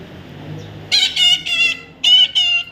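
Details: Young parrot giving four loud, raspy squawks in two pairs, each short and harmonic-rich with a steady tone, after a quiet start with faint low background hum.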